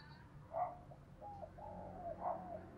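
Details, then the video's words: Decoy spotted dove cooing fast to call and stir up wild doves: soft low coos in short phrases, a louder note near the start and another near the end, over faint background hum. "Chim Cu Mồi Thúc Gáy Gọi Tốc Độ"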